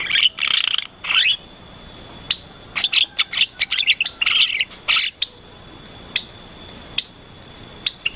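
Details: Rice-field birdsong: loud twittering bursts at the start, then a rapid run of short high chirps and scattered single notes. A constant thin high tone sounds throughout.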